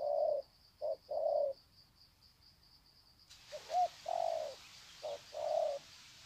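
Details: Decoy spotted doves at Sê San, 21 February 2020, greet each other in drawn-out cooing; low hollow coos come in short-long pairs, and a broad hiss rises in the background halfway through.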